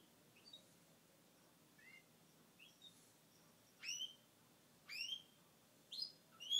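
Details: Male Gloucester canary kept as a pet, heard after his moulting period: several faint short upslurs, then three louder sweeping upward chirps about a second apart, ending on a rising ringing note.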